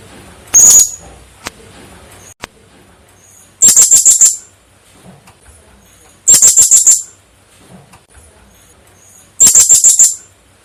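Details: Call of the blue-crowned hanging parrot, used as a trapping lure: one thin high note, then three bursts of rapid stuttering squeaks, each about half a second long, repeating roughly every three seconds.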